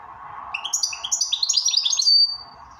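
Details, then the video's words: 'Bell ring' song of a goldfinch: one continuous rush of rapid, bell-like tinkling notes rising and overlapping, finishing with a clear sustained high tone, then fading to a low steady hum. "bell ring Switty goldfinch."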